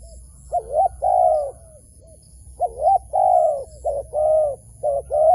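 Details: Wild dove, lured toward a trap, giving hoarse cooing notes in two loose bursts, the longer ones arched and the shorter doubled, with a quiet pause near the two-second mark.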